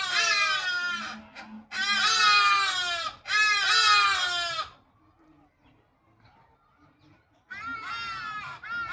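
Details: Hadeda ibis (Bostrychia hagedash) communicating: loud, harsh, nasal calls in three rapid bursts of about a second each, then a quiet pause before another raucous burst.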